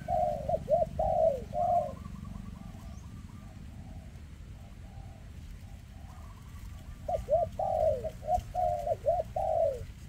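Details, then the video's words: Spotted dove with a shaky leg in a very thick 'rước' call: rapid runs of low, hollow coos at the start and end, with fainter higher twittering from another bird in between and a steady low hum. "Chú Chim Có Tặt Có Tài , Siêu Phẩm 2024 Kèm Rước Siêu Dầy ( Chim Bị Rẩy Giò )"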